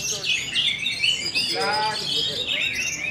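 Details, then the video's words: Four-month-old caged orange-headed thrush being readied for a songbird contest, singing a dense run of high whistled and chirped notes with quick slurred phrases; a lower harmonic voice-like sound briefly underneath. "Baru 4 Bulan Anis Merah Anjarmoro Telernya Seperti Ini!!"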